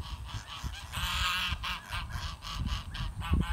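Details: Several geese honk together while running and flapping to get dinner; overlapping nasal, harmonic honks pulse steadily throughout, over a bed of low rumbling footfalls and wing noise.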